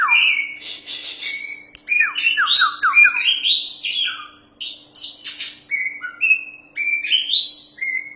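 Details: Oriental magpie-robin, described as a champion bird singing loudly and continuously, delivering a varied, rich song of whistled slurs, rising and falling notes, quick descending trills and scratchy high phrases in rapid succession, over a faint steady hum.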